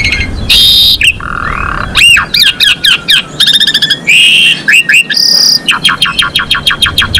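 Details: Varied, loud song of a female Asian pied starling used to raise breeding condition in males: clear looping whistles, rapid trilled bursts, a high sustained squeal and a final series of evenly spaced sharp chips.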